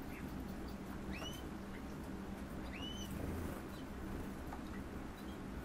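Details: A green-rumped parrotlet gives two short, upward-sweeping chirps about two seconds apart, with a steady low rumble of background noise.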